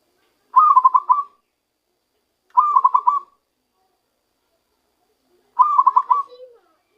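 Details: A zebra dove caught by luring starts singing in its own voice. Three brief rattling coo phrases of fast repeated notes come at uneven gaps, some trailing into a quiet lower note.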